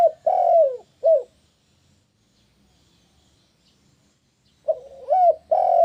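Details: Spotted dove calling to draw answers from other doves: the end of one phrase with a long rich coo and a short clipped note, quiet for several seconds, then a new phrase of soft lead-in and full coos.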